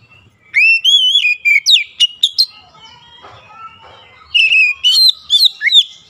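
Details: Magpie-robin lure song for stimulating reluctant birds: a long wavering whistle and crisp short notes, a brief quieter murmured passage, then another rich whistled phrase ending in sharp chips.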